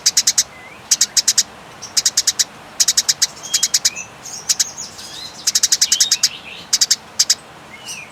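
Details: Fighting Eurasian tree sparrows, recorded as a clear, long-dragging master call for songbirds: high, sharp chirps delivered in quick clusters of three to seven, separated by brief gaps, with a few soft slurred notes between clusters.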